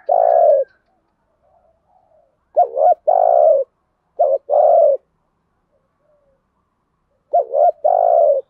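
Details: Spotted dove used as a lure bird, cooing to attract wild doves: repeated paired low notes, a quick double-humped note then a sustained coo, in clear bursts with silent gaps.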